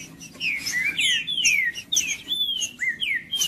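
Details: Green-winged saltator (trinca-ferro) singing to warm up a cold bird: a loud, continuous phrase of long, pure whistles, sliding down in pitch, ending with a quick rising note.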